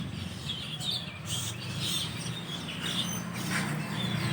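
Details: Morning chorus of Asian glossy starlings that roost in large groups in a dense-leaved tree, recorded soon after dawn: overlapping bright, high chirps and short squeaks in quick bursts over a low background hum.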